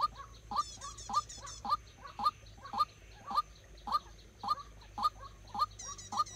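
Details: A waterhen kept as a decoy for bird trapping repeats a loud, abrupt, rising note at a regular pace near two per second, with brief high rattling sounds at the start and end.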